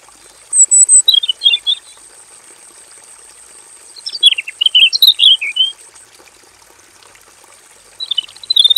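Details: Robin in a simple aviary cage singing full-variety song in three bursts of rapid twittering, tumbling high notes, each burst separated by several seconds of quiet with a steady high-pitched hum.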